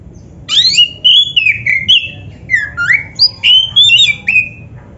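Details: Black-breasted Oriental magpie-robin song used as a training lure for caged kacer: rich slurred whistles, descending and rising glides linked in a continuous phrase, faint low background rumble.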